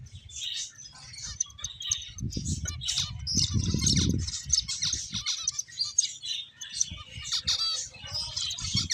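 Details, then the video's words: Finches playing keep up quick high chirping and clicking twitters throughout, while low thumping and rustling noises rise briefly in the middle. "Cute Birds Chirping Sounds | Beautiful Finches Playing"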